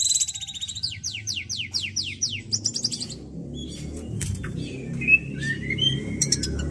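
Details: White-rumped shama singing after bathing: a quick run of about ten high whistled notes, each sweeping downward, for three seconds, then scattered sharp chirps and a few short sliding whistles over a low rumbling background.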